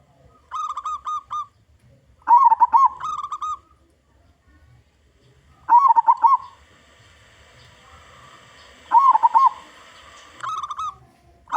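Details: Repeated song bursts from a loud local zebra dove, meant to lure other zebra doves. Short trilled runs and rolling coo clusters come every few seconds, separated by near silence, with a faint hiss between phrases.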